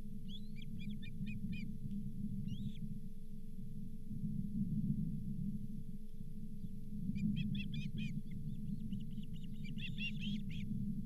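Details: Osprey calling at the Charlo nest on 31 July 2023 as the fifth fish, a lake whitefish, comes in. Scattered thin, high chirps in loose series, softer than the loud low rumble and hum beneath.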